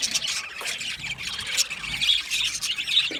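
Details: Budgies in an aviary giving a steady stream of high, scratchy chirps and squeals, many birds overlapping in constant chatter.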